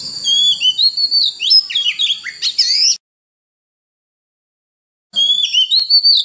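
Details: Oriental magpie-robin in 'forest voice' style, played to coach young birds and spur wild-caught ones into song: a rich run of piping whistles and quick downward slurs lasting three seconds, then silence before a fresh phrase begins.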